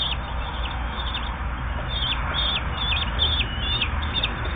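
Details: Eight- to ten-day-old common kestrel chicks being fed, calling with rapid, repeated short high squeaks and brief wavering notes, roughly two to three per second, against a constant low hum.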